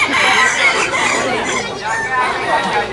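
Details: Crowing contest ('Sorok Bon') of hybrid red junglefowl at Felda Tenang, Terengganu. Many crows overlap densely, with rising and falling bursts one after another and no quiet gaps.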